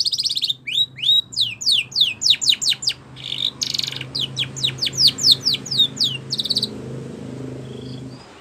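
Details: Spanish Timbrado canary singing for canary training: bursts of steep falling whistles alternating with short buzzy rattles, then the song stops and a faint low hum remains.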